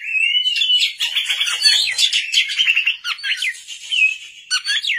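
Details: At night, an Oriental magpie-robin (kacer) sings vigorously in a dense, unbroken stream of whistles, buzzy trills and harsh chattering notes, with a brief pause near the four-second mark.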